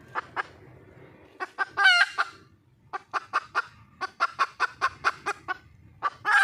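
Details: Wild junglefowl hen calling for a male: spaced sharp clucks, a loud harsh squawk near two seconds, then a fast run of about a dozen evenly spaced clucks and a final harsh burst.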